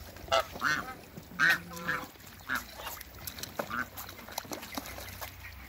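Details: Toulouse and African geese kept in a backyard, several short nasal honks early on, one drawn-out call, then scattered softer honks amid clicking and rustling farmyard noise.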